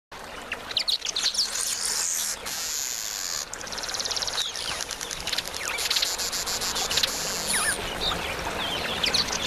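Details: Two male Southern masked weavers (Ploceus velatus) chatter at a nectar feeder, a dense, buzzy, sizzling chatter of rapid high ticks and wheezy notes, coming in bursts over steady background hiss.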